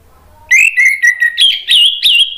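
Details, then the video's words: Whistled phrases from an Orange-headed thrush, used to coax other thrushes into song: a steady low whistle, then rising, warbled notes stepping higher toward the end. "bikin ANIS MERAH lain jadi ikut NYAUT NGEPLONG ¦ PANCINGAN AM"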